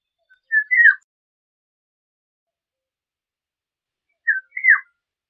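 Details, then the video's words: Two matching mellow whistled phrases, each a quick rising note followed by a sliding drop, separated by about three and a half seconds of silence. "Golden Oriole Song, Call, Chirp, Sound, Vocalization - Oropéndola Europea Canto - Oriolus Oriolus"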